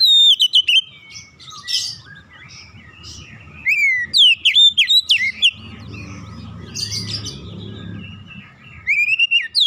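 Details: Oriental magpie-robin singing as a lure to get other birds singing: sharp, rising and falling whistled notes in quick series, interrupted by softer chattering passages, with a loud varied burst returning at the end.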